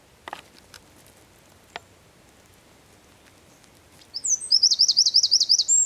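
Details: Eurasian wren singing in the San Miguel de Daño area of Zamudio, 4 December 2019; faint clicks and quiet precede a sudden piercing trill of fast, regularly repeated high notes at the end.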